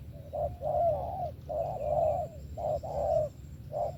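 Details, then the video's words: Spotted dove in 'thổ' style song with 'tàng': short coo followed by long drawn-out, slightly wavering coos, grouped in pairs, over a steady low background hum. "SẤM THỔ TỐT TIẾNG VỀ TÀNG KÈM 123"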